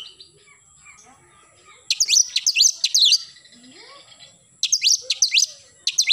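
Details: Morning song of an oriental magpie-robin in energetic 'nembak' style, delivered as two loud bursts of quick, sharp up-and-down whistled notes separated by a stretch of faint background hiss.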